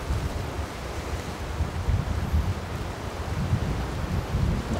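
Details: Continuous rumbling wind or surf-like roar fills the recording and no animal voice is heard.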